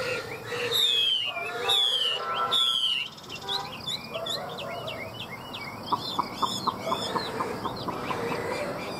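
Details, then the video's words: Chinese hwamei song opening with three long, loud descending whistles, then a busy jumble of varied chirps and short notes, and a brief series of sharp ticks toward the end. "Hoa mi hót giọng hay"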